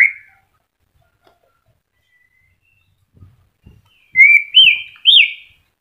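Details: White-rumped shama, caged and beginning to moult, gives three loud clear whistled notes rising in steps after a long silence, with a few soft knocks in the background.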